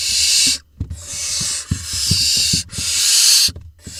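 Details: Barn owl nestlings in an Israeli nest box camera, June 2021, one swallowing a vole; long loud rasping hisses separated by short gaps, with soft thumps and scraping of birds moving in the box.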